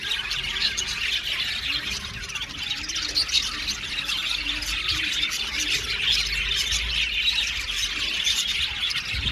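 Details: Blue male budgies chattering and squawking, a steady wash of high chirps and harsh notes over a low background rumble.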